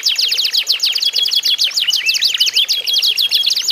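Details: Domestic canaries in a singing contest meant to prompt other canaries to sing. Dense, rapid chattering trills and sweeping chirps, high-pitched and continuous, with some drawn-out whistled notes.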